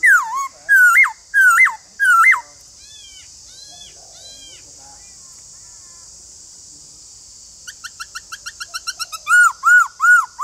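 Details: White-cheeked laughingthrush song: three loud whistled notes sliding down then up, followed by a rapid accelerating run of short clipped notes ending in more whistled slurs, over a steady high hiss.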